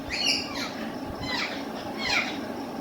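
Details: Rose-ringed parakeet kept in a cage, described as talking in Urdu or Hindi, gives brief bright chirping notes with quick downward sweeps, three small bursts spaced about a second apart over constant background hiss.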